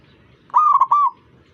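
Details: A single zebra dove phrase, sung while prompting other doves to join in: a rapid, rolling trill broken into three quick cooing pulses, clear against quiet background noise.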